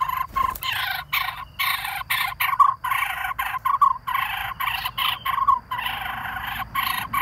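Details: Lineated barbet near-fledgling screaming from its nest in the hollow of a dead durian tree while waiting for its parents to bring food, in repeated broad, harsh bursts about a second long with brief gaps, over steady hiss.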